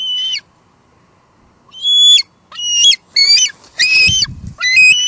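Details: Female bald eagle squeeing and calling at her nest at Two Harbors on 24 July 2022, picked up by a live nest cam: one high squeal, a pause, then a burst of rapid, thin, ringing squeals with a soft thump near the end.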